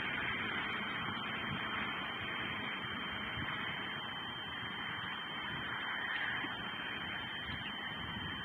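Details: Constant static-like hiss with a faint buzzing hum runs throughout, and no animal voice stands out.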